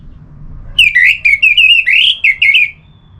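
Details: Orange-headed thrush song for stimulating singing: a continuous, rich, warbling whistled phrase of linked notes that rise and fall rapidly over about two seconds, against a soft low hum.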